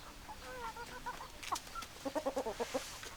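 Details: Hens clucking: softer drawn-out notes at first, then a clear run of about seven evenly spaced loud clucks near the end.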